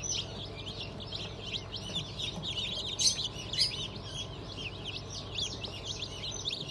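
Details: A fresh hatch of Cream Legbar, Sussex, Sultan and Phoenix chicks on 20 June 2023, a crowd of chicks giving dense high cheeping peeps, with constant low humming behind.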